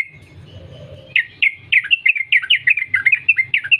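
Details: Yellow-vented Bulbul from the wild, chattering song used to bait other bulbuls into singing: a thin steady whistle first, then a lively rapid run of slurred, bubbly notes that continues to the end.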